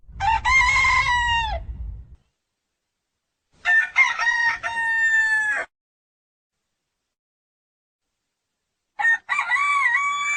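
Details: A rooster gives three crows in about ten seconds, each a harsh, harmonic call with short choppy opening syllables and a long drawn-out last note, separated by silent gaps.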